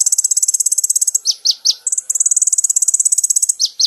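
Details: Brown-throated sunbird song from a recording used to train caged birds: a continuous fast, high, ringing trill broken by pairs of downward-swooping notes, then the trill resumes and two more swoops end it.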